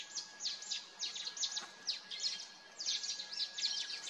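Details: Mountain bulbul (Ixos mcclellandii), one of a pair, at Motidhar near Mussoorie, Uttarakhand, in forested Himalayan hills: a busy run of high, sharp, down-slurred notes in quick clusters over a faint steady whine.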